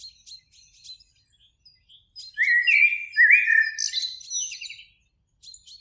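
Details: Spring evening by a lake: a Eurasian blackbird, one of two singing in a beech tree, delivers a loud, rich whistled phrase ending in high twitters, framed by faint, quick high chips from other birds.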